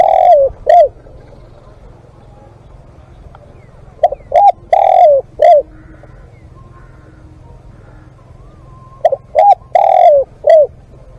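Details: Live recording of a zebra dove kept for cooing contests: bursts of clipped hollow coos and a drawn-out rolling note, phrases separated by several seconds of quiet.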